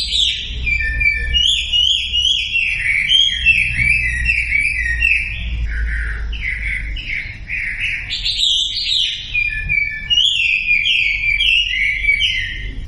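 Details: Sumatran leafbird song for coaxing quiet birds into song: a fast, restless stream of chirping, slurred whistles and squeaky notes, changing pitch constantly for about thirteen seconds, with faint low rumble beneath.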